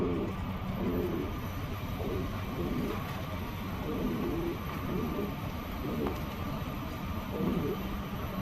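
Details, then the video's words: Pigeon cooing: low, soft, throaty coos in repeated rolling phrases about every second, over a steady background rumble. "Pigeon cooing sound"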